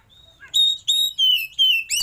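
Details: Short, loud phrase from a kacer (oriental magpie-robin) singing its showy fill song with tail open: five pure, steady whistles, each slightly falling, ending in a sharp upward sweep.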